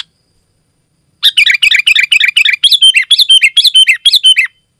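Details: Energetic, dense song of a sooty-headed bulbul, played to call other bulbuls and as a tutor; after a second of silence comes a fast, unbroken run of bubbly chirped notes, about two per second, slightly descending at the end of each.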